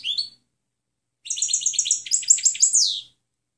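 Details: European goldfinch clean song, recorded to train other birds: a single short note, a pause, then a nearly two-second stream of bright chattering twitters ending in a downward slurred note.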